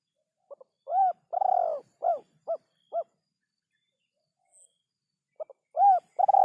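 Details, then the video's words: Spotted dove, used as a lure for trapping birds: two faint short notes, then a series of low arched coos, one long and rough with a trembling texture, then softer clipped coos; the phrase repeats after a pause. "suara burung tekukur pikat ampuh"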